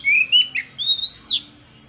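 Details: Magpie-robin (kacer) singing as a lure to trigger rival birds: clear drawn-out whistles gliding upward, broken by a short dip, then a long rising whistle ending in a sharp downslur.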